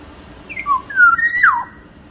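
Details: Big-bodied Sumbawa black-naped oriole delivering one clear fluty phrase: a high note dropping to a lower one, then a smooth rising whistle held briefly before a quick falling slur, in a quiet setting.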